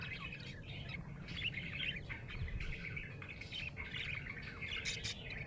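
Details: Happy budgerigar chirping, continuous warbling chatter of short squeaky notes with a constant low hum underneath.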